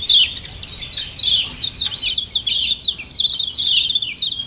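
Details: Common iora double "ciak ciak" calls used as a lure to stir other birds into calling: a continuous, busy chatter of high, sharp chirps, rapid and uneven, hardly pausing.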